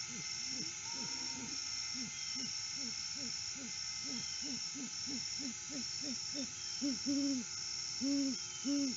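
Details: Sunrise visit by a lone male great horned owl to the nest tree, 12 August 2022, off-season, no mate answering: a long series of soft, evenly paced low hoots swelling into louder drawn-out hoots near the end, background hiss throughout.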